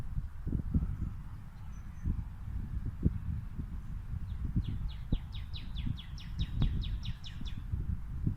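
A female northern cardinal sings a quick series of about a dozen clear, downslurred whistles that climb slightly in pitch, over a steady low rumble of wind.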